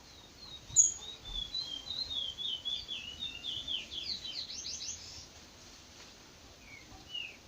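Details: Curió, the chestnut-bellied seed finch, heard at daybreak in the trinca bico de veludo style. Sweet high whistles and quick downslurred notes flow together for about five seconds before trailing off into quiet.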